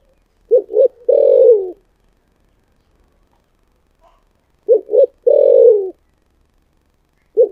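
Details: Spotted dove giving its 'giọng thổ sấm' style call: paired brief coos followed by one long falling coo. The phrase repeats about four seconds later, and a further coo begins at the close.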